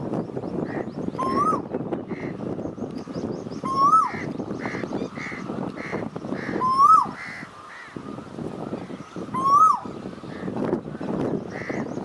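An Asian koel gives clear, rising whistled notes, one every two to three seconds, over a steady murmur of background noise and faint calls from other birds.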